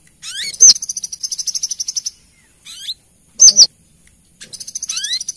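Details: Lure call of a female Brown-throated sunbird summoning the male. Long, fast, high-pitched ticking trills bracket a pair of loud, sharp double notes, with an upward-slurred sweep near the start and the end.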